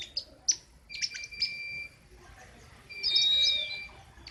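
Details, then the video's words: King konin singing continuously in the loud, sharp besetan style: quick high chirps and clicks, then a long, steady, level whistle held for over a second. Background is quiet apart from faint low hiss. "Burung "KING KONIN" Trotol Ngerol Abissss Besetan Mantap !!!"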